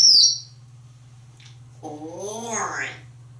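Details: A pet African grey parrot, dancing and playing affectionately with a towel in a bathroom, gives a brief loud high whistle that slides downward, then wavering speech-like talk, over a steady low hum.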